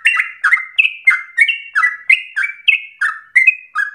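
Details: Yellow-vented bulbul song, used as a lure to get other bulbuls singing long, rapid, unbroken phrases: a quick run of short bubbly, warbled notes, about three per second, stepping slightly higher and lower in turn, over a quiet background.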